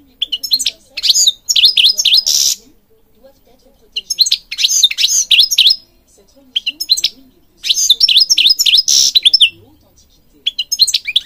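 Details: European goldfinch song, a Moroccan bird recorded to stimulate and train others; repeated phrases of liquid twitters and buzzy notes every few seconds, separated by short silences.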